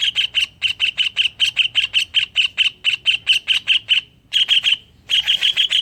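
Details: Greater green leafbird song filled with kingfisher-style phrases, played to prompt other leafbirds to sing: sharp, high chirps repeated about four times a second in a long run, a short pause, then a denser, harsher burst.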